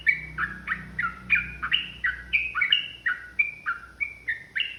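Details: Trucukan, the yellow-vented bulbul, singing aggressively as a lure to stir other birds: quick bubbling run of downslurred whistles, around three per second, with a soft low drone beneath.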